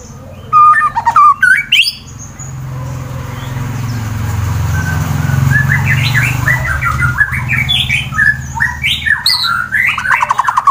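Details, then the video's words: White-rumped shama of fighter type from Wonosobo, Central Java, Indonesia, singing to provoke rival birds: short whistled bursts, a few seconds of low rumbling vehicle-like noise, then a warbling phrase of stepped notes. "Murai BATU FIGHTER Bikin Emosi lawan langsung GACOR Sangat Ampuh Dijadikan Lawan tanding"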